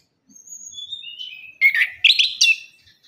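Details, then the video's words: Orange-headed thrush song, offered as a lure to get reluctant thrushes singing after moult. Thin, high whistled notes drift in softly, then three loud, rich warbling bursts with sharp, varied phrases follow in quick succession. No other sounds. "ANIS KEMBANG - PUNGLOR KEMBANG - KICAUAN ANIS KEMBANG GACOR"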